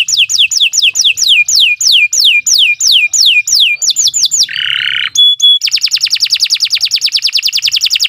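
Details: Canary singing a long, energetic song for tutoring caged birds: a series of sweeping down-slurred whistles repeated about three per second, a short buzzy rasp, two pure tones, then a rapid steady trill.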